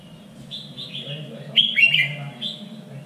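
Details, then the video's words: Red-whiskered bulbul singing a contest-training phrase in a standard three-region Vietnamese voice: soft whistled notes building to one loud, quick, rolling flourish, over low steady hum. "LUYỆN CHÀO MÀO ĐẤU || GIỌNG CHUẨN 3 MIỀN"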